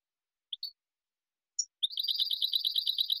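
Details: European goldfinch, Spanish style, clean song for educating young birds: a few scattered soft chips, then a quiet fast run of regularly repeated tinkling notes.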